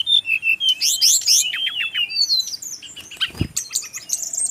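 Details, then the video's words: Male brown-chested jungle flycatcher song from regional Bali: fast runs of high chirps and slurred whistles, rising and falling notes in quick series, a brief click near the end, then more twittering. "suara burung SIKATAN RIMBA"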